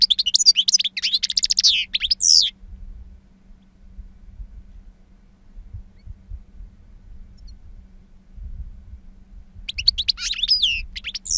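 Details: European goldfinch, two years old, singing in wild style with long calls: about two seconds of dense, jangling twitter, a long quiet gap with faint low rumbling, then the twittering resumes near the end.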